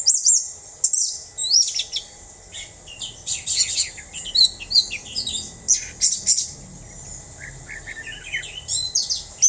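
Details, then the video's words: Anis merah, the orange-headed thrush, in full "mabuk" song: continuous, busy high-pitched twittering mixing sharp chips, quick downslurred whistles and jumbled trills with few pauses, over a low background hum. "Anis Merah / Punglor Bata Mabuk"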